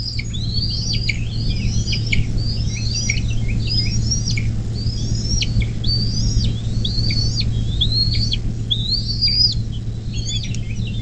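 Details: Recorded at a bald eagle nest near South Lebanon, southwest Ohio, USA, along the Little Miami River on 24 May 2024 at 10:12. Repeated high, sliding whistles with sharp drops, in regular bursts over a loud steady hum.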